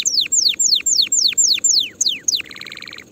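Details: Canary song for tutoring young birds early before the coming season: a run of seven quick, sharp downward-sweeping whistles, then two more sweeps and a short rapid buzzy trill, loud and clear against quiet low hum.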